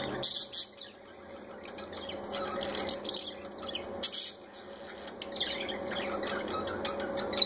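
Several parakeets chatter with high, scratchy chirps and warbles, with sharper squeaky bursts near the start, middle and end. A steady low hum runs underneath.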